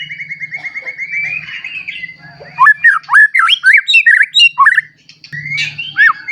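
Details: White-rumped shama, a bird that has recently settled its song, singing to provoke other shamas: a steady series of repeated whistled notes, then loud varied slurred phrases rising and falling, with a low hum underneath.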